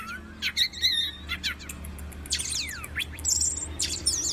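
Orange-headed thrush singing a rapid, varied run of sweet whistles, sharp upward and downward sweeps and chattering notes, over a faint low hum.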